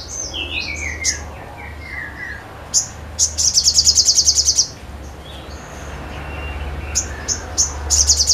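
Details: Sogon in full song: a descending run of whistled notes, high chips, then a fast rattling trill near two seconds long, followed by quieter twitters and more sharp chips; low hum underneath.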